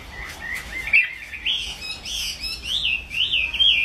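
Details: Chinese hwamei song: a rapid series of bright, looping whistled notes that rise and fall, each phrase repeated several times and growing louder toward the end.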